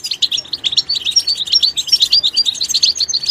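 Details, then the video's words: Goldfinch in its natural environment singing a fast, liquid twitter of high chirps and short trills, notes tumbling almost continuously with brief buzzy accents throughout. "soothing nature sounds of the Goldfinch"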